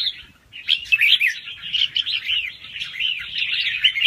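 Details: Fast-round song from a young wild red-whiskered bulbul, with soft head phrases and a doubled trick: a short opening note, a pause, then rapid bubbling, looping whistled twitters running on without break.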